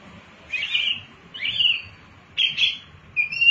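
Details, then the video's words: An ashy tailorbird (wambi mini), used as a lure sound, gives short, buzzy, rasping high notes in quick bursts, about one every second, over faint background hiss. "Wambi Mini Gacor Pancingan Burung Bahan Cepat Bunyi dan Ikut Gacor"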